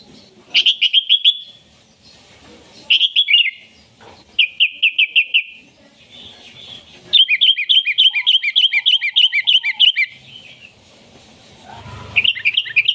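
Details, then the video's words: Energetic sooty-headed bulbul song, a lure for wild bulbuls and master song for caged birds: warbled phrases of bubbling notes, then a long fast series of about twenty repeated chirps. "Suara Burung KUTILANG GACOR Ampuh Untuk Panggilan Kutilang Liar dan MASTERAN KUTILANG"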